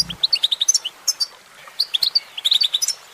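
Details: A goldfinch, possibly a female, sings in quick, tinkling bursts of high twittered notes, several per second, with short gaps between phrases and no other sounds.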